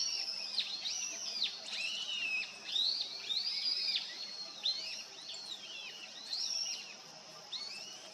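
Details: Long-tailed rosefinch arriving as a winter bird: a busy run of high, arching, slurred whistled notes, several overlapping and repeated about once a second, over faint background hiss.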